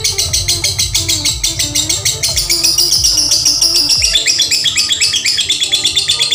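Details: Lovebird, male or female, singing a promising konslet-style tune: rapid high twittering chatter in quick pulses, a thin whistled strand in the middle, then more chatter, over background music and drums.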